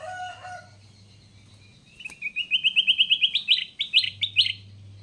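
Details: Caged sooty-headed bulbul, wild-caught and now tamed, singing almost every minute: a few lower tonal notes, then a quickening run of bright chirps that climbs in pitch over about two and a half seconds.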